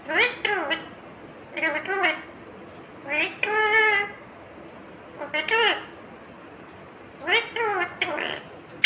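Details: Green ringneck parakeet talking in a small room: clipped syllables and longer harmonic words in five or six bursts, with brief pauses between them.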